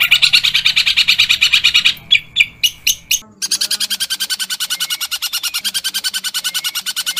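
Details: Long-tailed shrike training song from 2022 with dense, rapid 'tembakan' rolls in Kuntilanak, Tengkek Buto and Gereja Tarung styles: high buzzy notes repeat about three per second, break into a few separate chirps, then resume as a steady fast trill.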